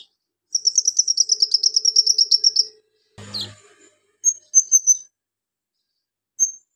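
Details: Javan magpie-robin ngobra song with mimicked golden grasshopper, lovebird, cricket and cililin: a rapid insect-like trill of about twenty high pulses lasting two seconds, a brief clatter, then a few sharp chirps.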